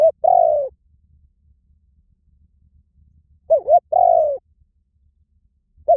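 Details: Spotted dove cooing: two phrases about three and a half seconds apart, each a short note followed by a longer, mellow, falling coo, against a quiet background.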